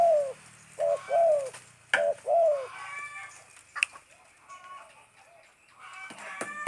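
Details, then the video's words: Spotted dove, a tame bird, delivering a few stuttering, mellow downward-bending coos in the first three seconds, followed by clicks, faint chirps and low background hum. "Suara burung tekukur gagap gacor"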